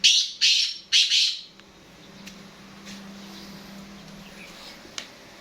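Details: Black francolin (kala teetar) calling: three loud, harsh, grating notes in quick succession within about a second and a half, then quiet with a steady low hum in the background.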